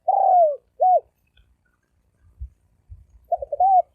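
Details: Spotted dove cooing in the rapid thổ ồm vang style. A long downslurred coo is followed by a short arched note. Faint low thumps come before the next stuttering phrase starts.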